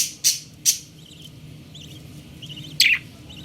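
A young budgerigar gives a few short, harsh, high chirps with pauses between them.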